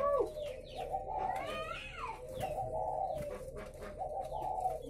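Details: Spotted doves kept at a farm near Ba Vì in northern Vietnam. Overlapping low coos pulse steadily beneath scattered thin chirps and a brief rising squeal from other birds.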